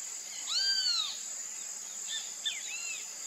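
A Great kiskadee gives a loud, arched, slurred call, then a softer broken phrase of short notes, over a steady high insect drone.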